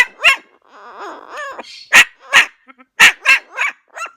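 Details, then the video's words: Pet parrot, 68 years old and newly rescued, mixes a warbling, chattering phrase with crisp, doglike barks delivered two and three at a time. "the barking parrot!"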